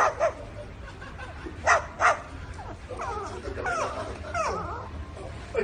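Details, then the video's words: Parrot imitating a dog: two short, sharp bark-like yelps, followed by wavering, whining, squeaky sounds. "Parrot making dog sound"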